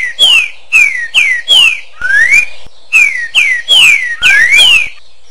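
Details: Echoing song of a green-winged saltator: rapid series of loud descending whistles in two phrases, each ending with a rising slurred note, clean background.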